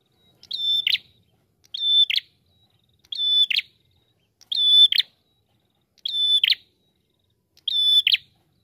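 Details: Red-headed prinia used as a lure to set other birds singing: clear high phrases near 4k repeated about every 1.3 seconds, each a steady whistled note ending in a quick buzzy flourish, on a silent background.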